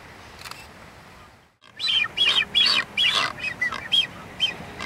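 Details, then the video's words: Blue-footed boobies during their courtship dance: after a short lull, a series of clear, slightly buzzy whistled notes repeated about three times a second, some rising and falling, over steady outdoor background noise. "Blue-footed Booby dance"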